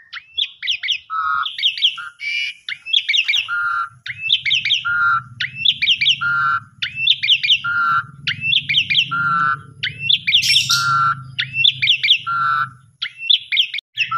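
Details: Asian pied starling (jalak suren) singing vigorously, a lure recording meant to rouse sulky or stressed birds: loud repeated phrases about once a second, bright twittering notes alternating with a lower clear whistle, over a steady low hum.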